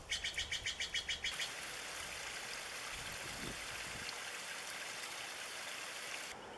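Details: A Steller's jay (Cyanocitta stelleri) in the Pacific Northwest gives a quick burst of about ten harsh, rasping notes in just over a second, with the steady rush of running water behind.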